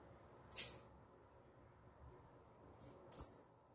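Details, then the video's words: Female double-collared seedeater (coleiro tui tui) giving two brief, very high, sharp chip notes about two and a half seconds apart in an otherwise quiet setting. "Fêmea De Coleiro Tui Tui Zel Zel Cantão"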